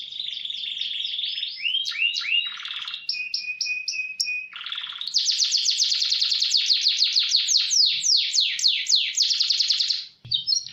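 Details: Spirited canary roll for tutoring: fast repeated notes, sliding whistles, a rasping buzz, bell-like repeated notes over a steady tone, then an extended rapid roll of downslurred strokes before a short break.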